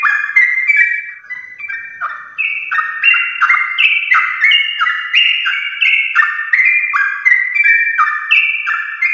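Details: Morning song of a yellow-vented bulbul in the rapid, extended 'ropel' style, played to get other bulbuls singing: dense run of liquid whistled notes climbing and falling in steps, nearly three per second, with no other sounds.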